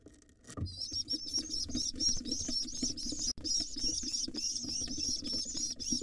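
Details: Wild rock pigeon nestlings in a monitored nest box beg excitedly while their father feeds them: a dense, rapid stream of thin, high squeaky peeps, many per second, over low fluttering and shuffling.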